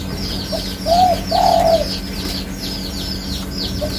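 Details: Soft introductory note then two rounded, slightly wavering coos from a spotted dove, the second drawn out, above a continuous chorus of high, falling chirps from small birds.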